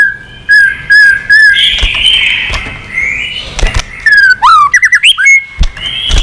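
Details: White-rumped shama in fighting song, tail wagging repeatedly: level whistled notes repeated about twice a second, then long sweeping whistles, rapid rising-falling warbles and clicking bursts, loud and close.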